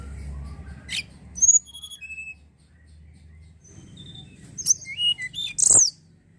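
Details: Sunda robin song used to draw in other birds: high, clear whistles dropping in steps, a quieter stretch, then a lively run of rising and falling whistled notes ending on a bright high upslur.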